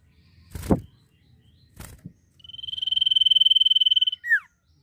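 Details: Actively singing common iora giving the drawn-out nyiul whistle: a sustained, evenly throbbing high tone of almost two seconds that ends in a quick downward-sliding note. Two loud knocks come before it.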